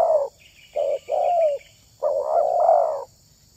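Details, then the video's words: Spotted dove (tekukur) voice from a recording about luring wild doves: a few warm, hollow coos, the last long and swelling, with a faint higher buzzy sound behind the middle notes. "SUARA TERKUKUR INI SANGAT ISTIMEWA"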